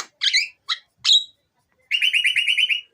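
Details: Javan myna song for luring birds into singing: a few scratchy chirps and one sharp whistle, a pause, then a fast even trill of buzzy notes lasting nearly a second.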